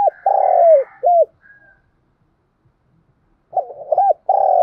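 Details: Spotted dove used as a decoy, cooing to rouse wild doves: a full phrase of short and long rounded coos ending in a clipped note, then a pause of about two seconds before the next phrase starts with similar mellow, falling coos.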